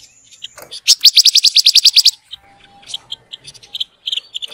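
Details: Rainbow lorikeet (panca warna) song for teaching caged birds. A rapid burst of loud, evenly spaced high chips lasts about a second, followed by softer scattered notes and a faint steady tone.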